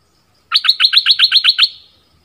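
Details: Decoy bulbul of southern Thailand rattles off a tight series of about nine evenly spaced, bright chirping notes, each with the same up-down shape, fading at the end.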